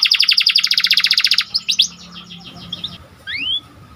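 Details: Actively singing Panda canary: a fast, even trill of high repeated notes, about fifteen in a row, breaks into a few quick sweeps, then quieter chirps and one rising whistle.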